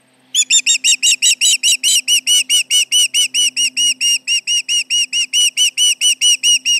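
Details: Osprey alarm calling over intruders around its nest at Charlo, 29 July 2019 near midday: an unbroken run of piercing whistled chirps, evenly spaced at roughly two to three per second for over six seconds, low steady hum behind.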